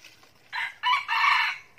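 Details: Red junglefowl used as a decoy bird, escaped and following the call of love toward a mate, crowing in Binh Phuoc, Vietnam: a loud harsh crow of three broken segments, the last longest, then a fresh start.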